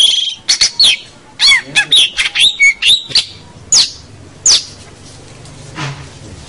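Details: Long-tailed shrike, locally called cendet or pentet, singing in full voice as a tutor song for local birds: high harsh squawks mixed with sharp whistled slurs, in bursts then single notes after pauses.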